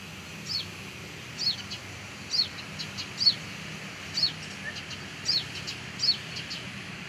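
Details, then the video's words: Sunbird near its nest by a house: high, thin sweeping notes repeated roughly every second in an uneven series, with faint low rumble and a trace of distant voices underneath. "Gacor!!! Menemukan sarang burung penghisap madu sogok ontong di area rumah"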